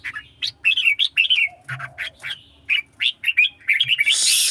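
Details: Red-whiskered bulbul in a singing contest: quick bursts of warbled, whistled phrases, loud and uneven, running one after another with short gaps. A harsh rushing noise fills the last half second.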